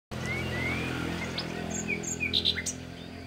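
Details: Common nightingale singing in nature: a short run of clear whistled notes, some sliding upward, ending in a couple of sharp high strokes and brief double notes, over a steady low hum.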